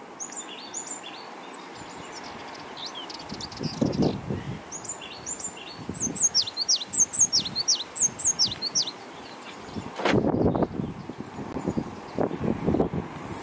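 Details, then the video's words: One-eyed, one-legged African blue tit singing on a windy day: quick series of high, piercing downslurred notes in the first half, then a loud low rumble of wind gusts and thumps masking softer notes. "African Blue Tit song, call and response bird chant"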